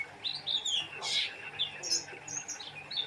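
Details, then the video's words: Oriental white-eye singing a short burst of high, sweet twittering whistles with one loud scratchy note midway, quick and lively over a low hum. "Burung pleci gacor"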